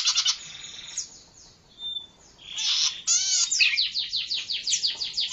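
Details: A zitting cisticola, recorded as a lure and tutor call, gives high, thin, buzzy notes, ending in a rapid run of sharp repeated ticks about twice a second or faster.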